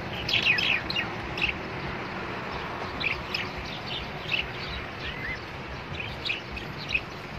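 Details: A young budgerigar being teased and kept from its food, sulking and angry, gives short, scratchy, high chirps in scattered bursts, sometimes two or three together, over a steady background hiss.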